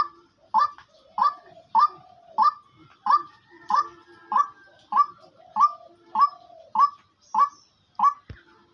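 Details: Caged female hunting decoy partridge, said to call day and night: a steady series of about thirteen loud, honking, nasal notes repeated roughly every 0.6 seconds, with softer low clucks in between.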